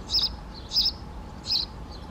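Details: Three hard, explosive kik calls from a Great spotted woodpecker, spaced about two-thirds of a second apart, each a brief piercing high note, with a couple of faint softer notes and little other sound.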